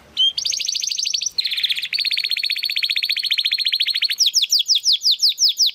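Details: Young Spanish Timbrado Classico canary trying to find its full song: long, fast metallic rolling trills held for several seconds, then a run of bright rising sweeps repeated about twice a second.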